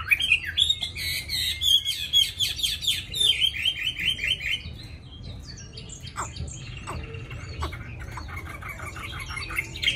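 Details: Tamed captive Chinese hwamei with a forest-style voice, singing in its cage: a loud, rapid run of varied whistles and slurred phrases, mostly high-pitched, over a low background hum.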